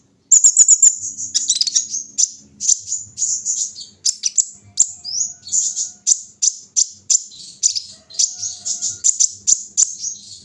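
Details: Kolibri ninja (Van Hasselt's sunbird), a kept bird put out for morning dew exposure; a dense stream of very high, thin chirps and sharp twittered notes repeated in rapid bursts almost without pause, with faint low background hum.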